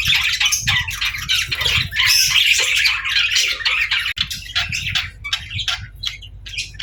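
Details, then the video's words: Rapid chirps and squeaky warbled phrases from pet birds come in quick bursts, about three a second, with a short silent break near the middle. "Bird Chirping Sound"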